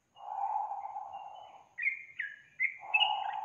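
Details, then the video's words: Used to prompt a lazy young yellow-vented bulbul to sing: a long, low buzzy note, then two or three bright rising whistles and another low buzzy note. "SUARA PANCINGAN BURUNG TRUCUKAN untuk memancing trucuk bakalan malas bunyi"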